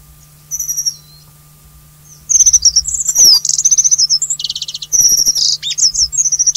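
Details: Alpine accentor of the Taiwan endemic subspecies, a high-altitude resident on rocky ground at Hehuanshan, Taiwan: a few brief high chirps, a pause, then dense, rapid, high twittering trills and buzzy notes running almost without a break.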